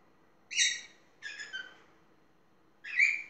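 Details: Talking pet parrot producing three spaced, short, grating squawks, the middle one broken into two parts, in a quiet indoor room.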